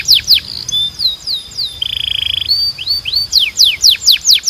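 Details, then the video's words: Singing Belgian canary giving sweeping downslurred whistles, a brief fast buzzy trill in the middle, then a series of sharp descending chirps at a steady pace. "Your Belgian Canary Might Sing NON-STOP After This"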